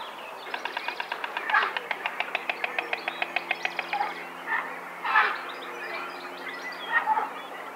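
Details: A white stork at a tree nest in the Czech Republic clatters its bill in a fast wooden rattle of about twenty sharp knocks over three seconds. Soft rustling and flapping-like bursts follow.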